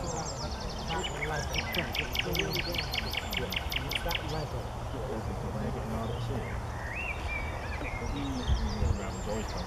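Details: Singing common nightingale, Paxton Pits, Cambridgeshire, 30 April 2016: a rapid run of about fifteen identical sharp notes delivered like a rattle, followed by softer whistled slurs and a low murmur of background noise.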